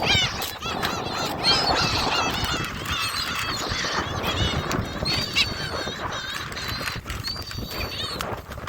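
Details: A crowd of gulls at Jebudo, South Korea, gives overlapping harsh mewing calls, often several each second, some drawn out and slurred, while people talk and clap in the background.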